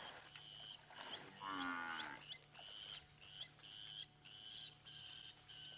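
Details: Lapwing; alarm call; scolding and chasing off a buffalo that will not move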